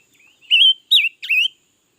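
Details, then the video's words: Singing red-billed leiothrix recorded in 2021, a bird said to sing all day; three bright warbling whistles close together, the middle note falling and the final one starting with a rough dip before a wavy whistle. "Suab noog nrheeb tshiab quaj lam lug le || Ngũ sắc mới hót cả ngày luôn"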